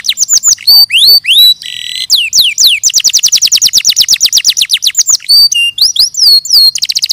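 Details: Canary singing a varied sequence: swooping whistles, a short harsh buzz, a long rapid trill of sharp notes, then more slurred whistles and a closing fast trill.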